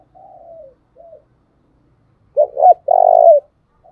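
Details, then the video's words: Soft, low coos open, then a loud phrase from a decoy spotted dove meant to draw in wild doves: two quick clipped notes and one long, even, slightly falling coo. "Tiếng chim cu mồi thúc sung nghe là ghiền bổi nghe là 100% gáy"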